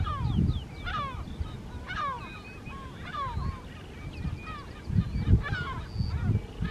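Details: A pair of lesser black-backed gulls near the breeding colony on Rottumerplaat, Netherlands, 3 June 2023, give harsh, downslurred calls in overlapping bursts over steady low wind rumble.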